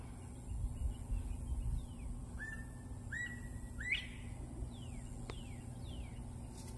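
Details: A wild northern bobwhite calls back to the recordist with its clear whistled call: short level notes, then a sharply rising 'white'. Faint thin whistles from other birds and a low background rumble.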